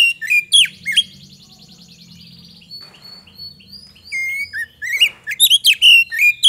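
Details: Magpie-robin (kacer) lure song meant to prompt a response from other birds: sharp whistles and a buzzy trill, a quiet gap with faint rustling, then a quick series of loud varied whistled notes.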